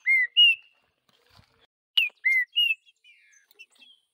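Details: Green-winged saltator singing in the wild in the Vidigal song style: pure, steady whistled notes in pairs, a low one then a higher one, repeated after a sharp downslurred note, with faint soft notes between.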